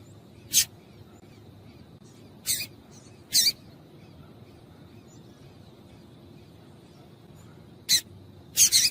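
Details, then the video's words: Female double-collared seedeater giving calls that prompt males to sing: isolated piercing high chips and short doubled notes separated by long quiet gaps. "Piado de Fêmea de Coleiro para Esquentar Coleiro"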